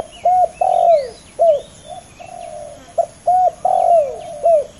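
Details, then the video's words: Pair of male spotted doves in a heated ground contest: rapid arched coo notes alternating with long falling drawn-out coos, packed closely together, with soft high twitters of other birds behind. "ต่อดินนกเขาใหญ่ ดุเดือดคู่นี้!!"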